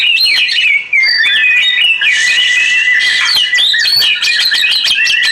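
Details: Oriental magpie-robin singing over flowing water: a loud, continuous run of varied whistled phrases, some held and some sliding, broken by quick chirps and rapid clicking notes.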